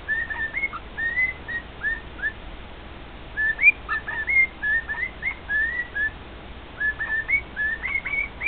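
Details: Household male cockatiel whistling a song to his two cockatiel companions, with phrases of short slurred notes, some upswept, some dipping, grouped in bursts separated by brief gaps.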